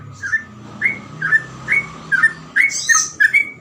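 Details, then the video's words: Sooty-headed bulbul singing in rapid 'gacor ropel' style with easily imitated phrases: spaced, slurred whistled notes about twice a second, ending in a harsh high burst, over a low steady hum. "burung trucukan gacor ropel cengkok mudah di tiru"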